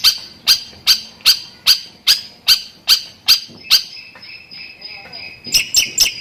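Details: Long-tailed shrike with lovebird imitations: loud single high chips evenly spaced about every 0.4 seconds, then a thin sustained whistle with softer notes beneath, closing in quick squeaky chirps.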